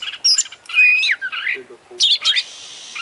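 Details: Champion Oriental magpie-robin delivering its full 'isian' fill-in song: a long clear sliding whistle, then buzzy descending warbles and a quick burst of high chattering notes with a faint hiss behind.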